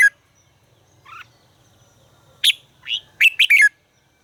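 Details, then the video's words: Red-whiskered bulbul being trained to sing: scattered soft notes, then a clear burst of quick, bright warbled notes that drop at the end, followed by silence. "luyện giọng chào mào hót hay - căng lửa, chào mào hót quá phê"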